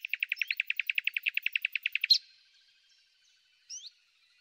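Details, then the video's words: A common nightingale singing in spring delivers a fast rattling run of about twenty identical notes in two seconds, ending in a sharp flourish, then a brief rising whistle after a pause. "El Ruiseñor común - El canto más bello de la naturaleza"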